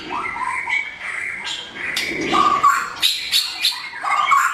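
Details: Blorok white-rumped shama, morning lure song for training: steady mid-pitched whistled tones and short warbles, with brighter high notes and clicks in the second half, slightly muffled.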